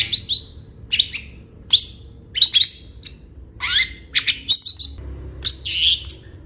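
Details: Long-tailed shrike (Lanius schach), song.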